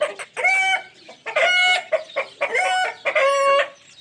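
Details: Pet ringneck parrot making four loud, buzzy, harmonic squawks in about four seconds, with short gruff notes between them.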